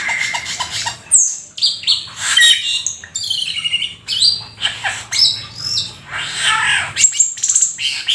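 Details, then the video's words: Vigorous Black-winged starling song with a full set of fill-in imitations; harsh rasping squawks, piercing high whistles and rapid chattering notes follow one another almost without pause. "Jalak Keling gacor full isian si burung langka nan EXOTIS"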